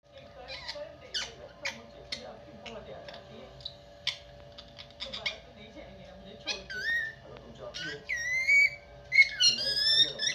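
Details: Pet parrot giving soft clicks and chattering notes, then louder looping whistled phrases that rise and fall in the last few seconds, with a steady low hum behind.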